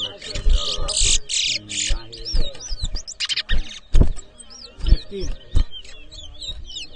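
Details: Chestnut-bellied seed finch whistling at a 2023 competition in Edinburgh Village, Guyana; wavering high notes weave between loud bursts of noise, thumps and people speaking.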